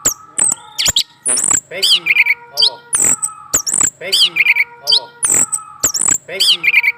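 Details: Male orange-headed thrush in a cage, stirred into song by a female set under it: rapid bursts of clicks, looping high whistles and buzzy notes that repeat in a recurring pattern every couple of seconds.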